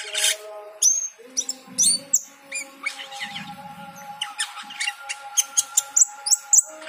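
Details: Cucak keling singing vigorously on hearing the call to prayer: varied clicks, whistles and chattering bursts, ending in a fast run of sharp chips, with the long tones of the call to prayer underneath.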